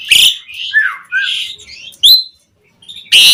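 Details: Vigorous Asian pied starling used as a lure for other starlings, giving harsh, raspy bursts and a couple of slurred whistles, with a brief silence before a final loud rasp.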